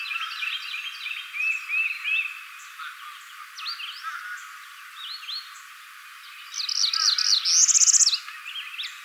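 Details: Northern Parula in spring 2014, in Arkansas or Kentucky, giving a rising, buzzy trill that climbs steeply and ends with a sharp high snap. Other birds chip and twitter softly before it.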